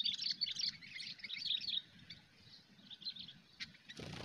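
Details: Sooty-headed bulbul in the chattering 'cengkram' style used for bird luring: dense, scratchy, fast chirps for about two seconds, then fainter scattered notes, over a low steady hum and a sharp noise at the end.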